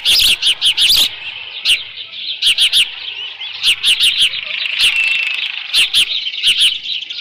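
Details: Osprey calling at a ranch nest on 13 June 2018 in late morning, leftover fish present; long runs of shrill, piercing cheeps in quick groups, with short gaps and steady background hiss between the bursts.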